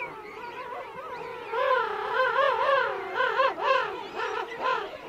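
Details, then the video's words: Adult king penguins calling close up in a colony with chicks, Right Whale Bay; after a quieter opening, a loud vibrating, wavering trumpet call begins, its pitch rising and dipping in quick repeated undulations, with fainter colony voices behind. "King Penguin. CU Adults Calling. Colony Of Adults And Chicks."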